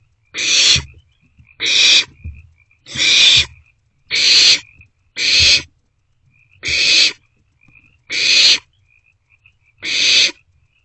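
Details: Young barn owls in a nest box after 1:47 am on 27 March 2024, sharing a vole; eight evenly spaced hoarse hissing screeches about every 1.2 seconds, with faint knocks underneath.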